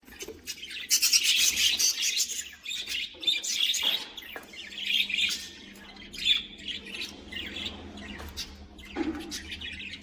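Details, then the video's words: Caged colony of budgerigars chattering together, many overlapping high chirps and warbles in dense bursts with short pauses, a faint low hum beneath. "Budgies colony! 😱🦜Budgieschirping!🕊️Budgies sounds!"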